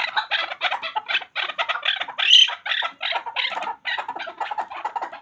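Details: A hunter chakor, a chukar partridge, gives a fast, unbroken run of harsh, clucking chuck notes, several each second, rising into a louder burst midway with no other sounds.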